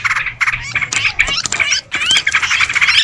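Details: Lure recording of Sooty-headed bulbuls: busy, uneven bursts of harsh squawks and chirps, broken by brief gaps, with sharp rising and falling notes crowding together.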